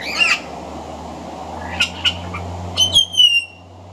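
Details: Pied butcherbird song with mimicry of other Australian birds, recorded on a veranda: a loud harsh squawk, scattered sharp clicks and chips, then a ringing high downslurred whistle, with a low hum behind.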